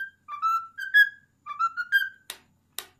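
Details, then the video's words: Indoor pet cockatiel, male and ten years old, repeating a whistled phrase of the Addams Family theme twice. Each phrase steps upward through clear tones, and two sharp clicks follow. "Cute bird singing Addams Family theme song"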